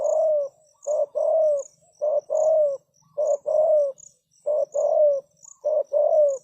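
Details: Lure spotted dove cooing to bring wild doves close: five steady pairs of hoarse coos, a quick note then a longer falling one, repeated roughly every second and a quarter, with high insect ticking in the background.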